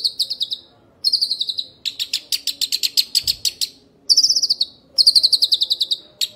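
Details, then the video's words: Young shrike calling at length: bursts of fast, rasping chattered notes, each burst lasting about a second, separated by short gaps, with some higher squeaky trills. "Burung Pentet Muda Ngekek Panjang"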